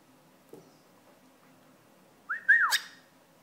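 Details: After near silence and a faint tap, a pet cockatiel annoyed by paper towel lets out one brief, rising-then-falling harsh call with a sharp click on its tail.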